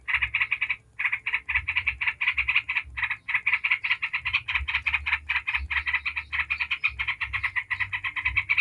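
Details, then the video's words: Yellow-vented bulbul singing nonstop 'ngebren' chatter, a lure to make other bulbuls reply; quick bubbly notes pour out almost without a break, only a couple of tiny gaps, over low background hum. "Trucuk ngebren bikin ribut trucuk manapun dijamin langsung nyaut ribut"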